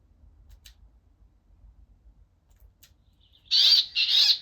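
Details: Brambling, an autumn migrant finch reaching England's east coast from Scandinavia, gives two harsh nasal wheezy calls in quick succession near the end, after a quiet stretch with a few faint ticks.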